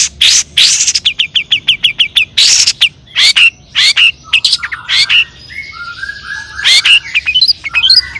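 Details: Provocation song of a long-tailed shrike, toet toet type. Opens with a rapid trill of short notes, then scratchy bursts and a few soft slurred whistles before more harsh chatter.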